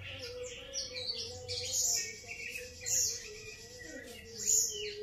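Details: Grey-cheeked bulbul (cucak jenggot) gives bright, high, chattering phrases in three loud bursts about a second apart, separated by softer twitters, over a faint steady hum.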